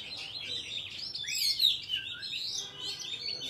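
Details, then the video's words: Oriental magpie-robin singing a wild forest-style song, recorded for trapping and for training young birds' voices: rich, sweet whistled phrases with rising and falling slurs, dense and continuous, with no other clear sounds. "Chòe than hót giọng rừng cực phê"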